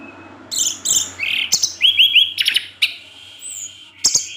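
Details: Orange-headed thrush in 'teler' evening song that provokes other thrushes to answer: rapid high chirps and short whistled slurs interrupted by sharp clicking bursts, with a soft low hum beneath.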